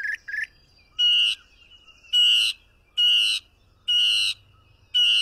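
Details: Song of a mockingbird: a couple of brief low whistles, then loud harsh broadband phrases repeated roughly once a second, each a rasping burst with a steady tone running between them.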